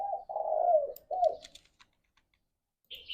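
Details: Spotted dove song used for luring and stimulating other doves: a long, wavering, slightly descending coo, then a shorter coo, followed by light clicks and a high chirp from another bird.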